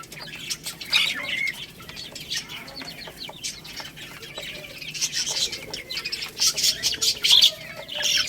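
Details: Little chicks at a meal of rice. Scattered high falling chirps swell into a denser chorus in the second half, over constant light clicks.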